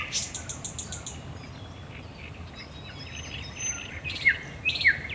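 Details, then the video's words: Thrush nightingale at night, Raszyn Ponds, Poland, 10 May 2021: a short burst of high clicking notes, a quiet stretch with faint thin whistles, then two sharp descending notes over steady hiss. "Nocny śpiew słowika rdzawego"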